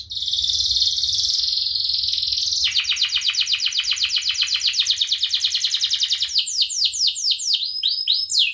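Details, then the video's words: Canary song made for teaching other birds: a sustained buzzy high trill, then a long, even series of rapid repeated notes, then sweeping downslurred whistles repeated quickly. "SUARA KENARI GACOR UNTUK MASTERAN | Canary Bird Training"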